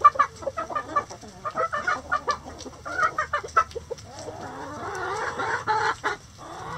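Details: Chickens in a coop give rapid, uneven clucks and short throaty notes. A busier, overlapping chorus of murmuring calls builds toward the end.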